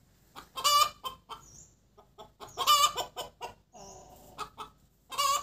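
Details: Hen cackling after laying, the Vietnamese cục tác: quick clipped clucks building to loud, strained, ringing squawks at roughly two-second intervals, three peak notes in all.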